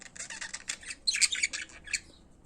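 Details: Pet budgerigars in song: a short run of harsh, high chirps and buzzy chatter, growing louder in the middle before trailing off.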